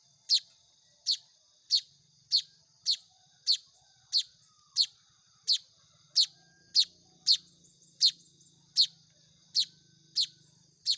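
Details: Baya weaver nestlings calling for food during hand-feeding, a long steady run of about sixteen sharp, high, downward-sweeping chirps repeated roughly every two-thirds of a second, with a low hum beneath.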